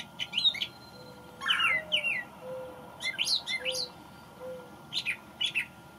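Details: Male brown thrasher newly arrived from migration, singing in May: bright, varied phrases of rapid chirps and slurred whistles, some notes given in pairs, in bursts separated by short pauses; a low steady hum underneath.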